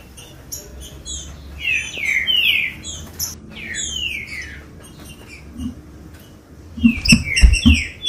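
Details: Green-winged saltator singing, a warm-up song for captive birds: rich swooping whistles in two loud bursts with a quieter gap between, thick high twittering alongside, and soft low knocks near the end.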